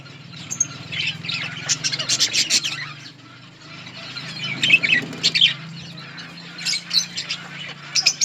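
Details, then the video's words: Several budgerigars in a colony eating green leaves, chattering in high scratchy bursts and short squawky chirps, with a steady low hum underneath. "Budgies parrot eating green leaves budgies birds chirping sounds in budgies colony"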